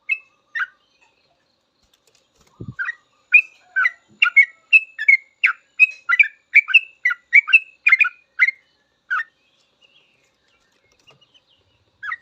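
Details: Long full song of a sooty-headed bulbul for tutoring cage birds: a few opening notes, then a quick run of liquid chirped and whistled phrases, fading to scattered notes near the end, with one low thump early on.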